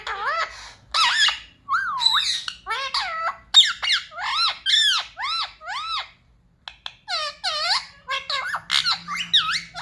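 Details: Talking pet parrot being trained to say "mummy papa" produces a dense run of looping, wavering harmonic syllables, sharp squeaks and rising-falling slurs with only a brief pause, loud and close in a quiet room.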